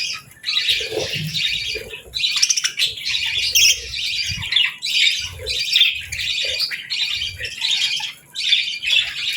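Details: Budgies including a female chirp during a calm morning of eating and bathing; continuous bright chattering warble of rapid harsh chirps and squeaks, with soft knocking and rustling underneath.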